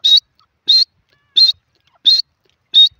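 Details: In a jungle setting, a grey francolin gives five piercing high notes, one about every 0.7 seconds. Each is short with a slight upward lift at the end, in a steady, insistent rhythm against quiet surroundings.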